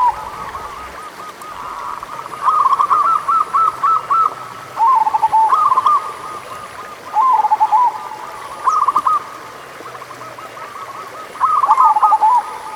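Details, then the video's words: Local zebra dove song, recorded as a lure to stir doves that are slow to sing: loud bursts of quick, clipped cooing notes falling into a rolling trill, repeated every few seconds over a steady background chorus of similar cooing. "Pancingan Suara Burung Perkutut Lokal"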